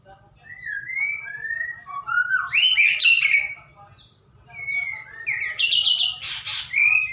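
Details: Song of a white-rumped shama, played to lure a shama into singing: melodious rising and falling whistles building into loud, buzzy, complex bursts, repeated in two waves over a light hum.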